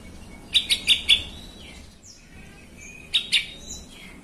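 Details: Sooty-headed bulbul, used as a lure recording to agitate other bulbuls into singing: a quick run of four sharp, bright chirped notes, then a pause and a second shorter burst of two to three notes, over faint low background hiss.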